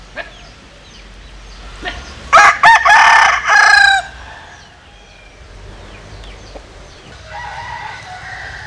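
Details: Crossbred bantam cockerel, Japanese bantam mother and Cuban father, gives a powerful crow. It opens with two short clipped notes, then a long ringing harmonic phrase with a drawn-out ending. Faint distant crowing follows in a quiet outdoor setting.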